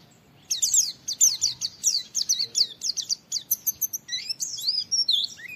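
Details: High, rapid oriental white-eye song of chattering, steeply descending notes in an almost unbroken string for about four seconds, ending in a few longer slurred whistles; a "wit wit" training recording.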